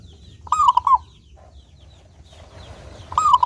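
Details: Local zebra dove with a clear song, used as a lure to make doves sing: a quick cooing phrase of bouncing notes, then a hiss of background noise, then a second phrase starting near the end.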